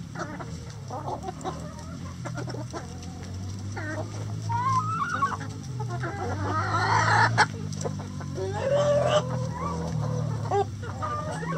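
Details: Flock of chickens inside a coop clucking continuously, with scattered short notes and a louder squawking burst near the middle, all over a constant low background drone.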